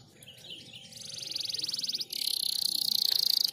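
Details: Canary song played to prompt silent canaries to sing, heard at a distance over a low background hum. A rapid high trill gives way to a brighter, denser rolling trill.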